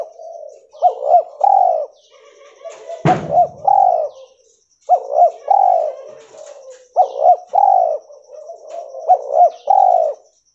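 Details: Albino spotted dove, a white mutation, giving repeated coo phrases: double rising notes followed by a sustained coo, about five times; a sharp knock or thump interrupts early on.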